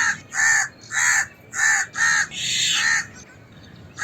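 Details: Indian crow alarm call: harsh, rasping caws, about five loud calls at roughly half-second spacing, with one longer drawn-out caw near the end.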